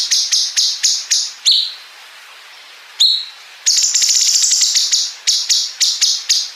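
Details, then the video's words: Training recording of a cungkok bulbul for competition songbirds, 'bren' fill joined to 'ngepik': rapid clipped high notes, a brief silence, one sharp slide, then a long rattling buzz and more quick bursts. "MASTERAN GACOR CUNGKOK ISIAN BREN PANJANG SAMBUNG NGEPIK"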